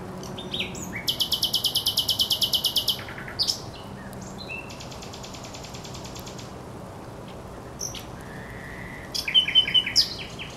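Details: Singing thrush nightingale recorded on 24 April 2022 at the Żerański Canal: a long, dry, fast rattle of buzzing pulses, a second softer rattle, then silence before a closing burst of sharp ringing notes, with a low hum throughout.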